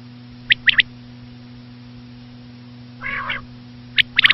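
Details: Common quail gives one crisp three-note phrase, then a harsh nasal rasp, then another quick triplet of high clipped notes. A low steady electrical hum continues underneath.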